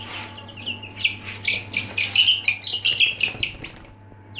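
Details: Aseel chicks in a brooder calling busily, a dense series of high, slightly downslurred peeps, several overlapping, building through the middle then thinning out, with a faint steady hum beneath.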